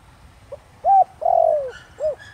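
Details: One spotted dove phrase in the 'Thổ Đồng' style for drawing wild doves: a soft lead note, a short coo, a long drawn-out falling coo and a rounded short coo, with a faint chirp at the end.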